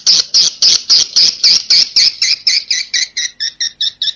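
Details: Swiftlet roosting call, the 'Inap Ababil' type: strong, high, clipped chirps repeated steadily about four times a second, gradually fading and thinning toward the end.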